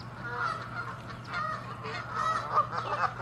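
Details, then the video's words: Angry, territorial Canada geese fighting; a muffled, continuous stream of overlapping nasal honks at moderate loudness, rising near the end, over a constant low hum. "Geese fighting & honking loud sounds"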